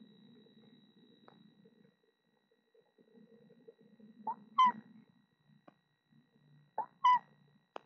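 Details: Eastern screech owl at a nest box in Florida holding four young owlets, filmed by a nest camera; two short tonal calls with a slight rising-falling bend, about two and a half seconds apart, over faint shuffling and a steady low hum.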